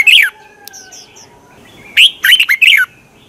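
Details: Lure recording of a Red-whiskered bulbul's morning song in the twisting-voice style, played to stir other bulbuls into competitive singing; a short warbled phrase, then a pause with faint thin whistles, then a longer lively chattering phrase.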